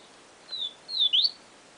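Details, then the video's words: Short Siu Siu Professor phrase from a Yellow-bellied seedeater: a clear level whistle, a pause, a second level whistle and one sharply rising note, with quiet hiss behind. "Papa Capim Siu Siu Professor"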